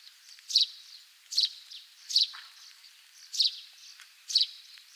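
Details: Russet Sparrow (Cinnamon Sparrow) in Japan, likely Hokkaido where it mostly breeds, singing short, bright, high chirps repeated about every second, with a steady background hiss.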